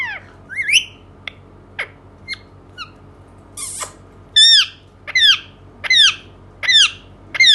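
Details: Indoor pet Indian ringneck parakeet giving scattered sharp clicks, a rising whistled note and brief chatters, then settling into five loud harsh arched squawks repeated about every 0.75 seconds.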